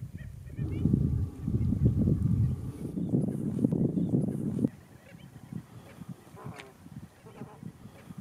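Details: Andean flamingos in the Atacama Desert give a dense, low, goose-like honking chorus that drops after a few seconds to scattered single honks.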